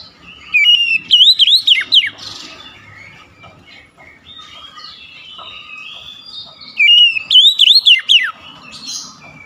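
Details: Oriental magpie-robin repeating the same loud burst of swooping whistles twice, several seconds apart, with soft scratchy chatter in between.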